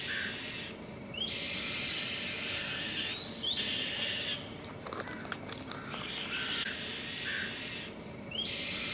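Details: Newly fledged white-tailed kite chicks, very vocal as they fly off and come back to the nest, give repeated drawn-out grating screams, each opening with a short rising whistle, coming every one to two seconds with brief pauses.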